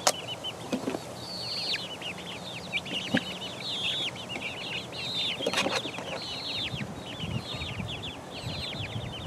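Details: Four-week-old chicks pecking around, giving a dense stream of short, high, downward-slurred peeps, many overlapping and repeated rapidly throughout, with a few sharp taps and faint rustling underneath.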